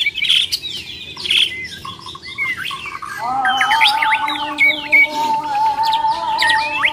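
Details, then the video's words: Fighting song of a Bornean white-rumped shama, bright slurred whistles and upward flicks over a steady ringing tone that holds through the second half. "MURAI BATU BORNEO TARUNG"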